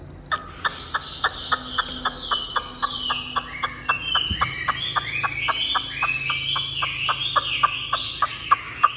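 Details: Tame kept Chinese hwamei singing well: a continuous varied warble of high slurred phrases running over a steady series of sharp ticks, about four a second, with a brief thump midway.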